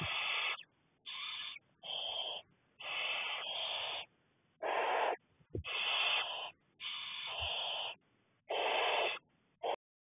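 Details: Six barn owlets in a nest being fed by a parent, 2 May 2020; harsh, hissing wheezy screeches in long bursts of about half a second to a second, repeated with short gaps, some overlapping.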